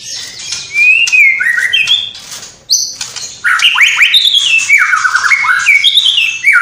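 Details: A white-rumped shama in full song, weaving in mimicked sparrow, fighting lovebird, kapas tembak and cililin calls. Loud stepped whistles, descending and rising in pitch, flow into continuous ringing trills with harsh chips.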